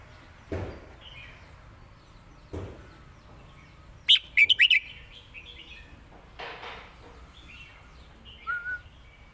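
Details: Red-whiskered bulbul, a caged bird in Thailand, in lak wai and mae bot singing styles: one brief, loud phrase of four or five quick warbled notes between quiet stretches, with a few dull knocks and a faint whistle.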